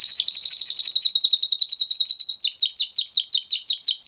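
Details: Spanish Timbrado canary, an original breed related closely to the wild canary, delivers a fast high trill that slows into evenly spaced downslurred whistled notes, about three per second.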